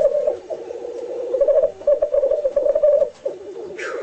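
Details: A black grouse in display utters a rolling, pulsing low coo in long phrases with short breaks, closing with a quick rising hiss-like note.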